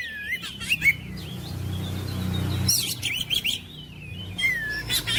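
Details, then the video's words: Oriental magpie-robin singing brief rising and falling whistled phrases and scratchy notes at the start and end. A stretch of low rumbling noise in the middle masks the bird for about two seconds. "KICAUAN KACER MENGOYAK KACER BISU MALAS BUNYI JADI NGOTOT GACOR"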